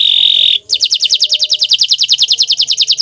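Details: Bottle-green canary holding a pure steady whistle, then breaking into a fast, even, ringing trill of repeated double notes, roughly eight per second.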